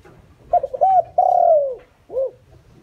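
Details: Spotted dove kept as a decoy, cooing to attract wild doves. One full phrase: two short soft notes, a rounded coo, a long smooth descending note, then a single arched closing coo, with faint low background hum.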